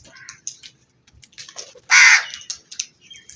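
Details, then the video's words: Black crow giving a single loud, harsh caw amid scattered faint chirps and clicks from other birds. "Crow Sounds"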